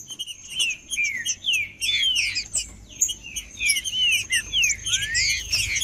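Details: Captive green-winged saltator singing, used to stir a silent caged bird into song: repeated slurred whistles dropping in pitch, mixed with dense bright chirping, over a constant high whine.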